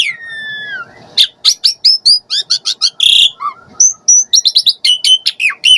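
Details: Asian pied starling calling to draw response from starlings; an opening long falling whistle, then rapid chattering chirps, a harsh rasp and clear short whistled notes in quick succession.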